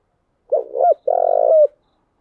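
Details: Lure coo of a spotted dove, from a recording in the thúc gù and gáy gọi styles made to draw wild doves in. A quick double coo, then a long, even, faintly throbbing note ending in a downward glide.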